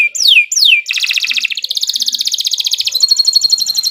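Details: Canary master song: two loud downward sweeps, then an unbroken rapid trill lasting about three seconds, clear and high with little background.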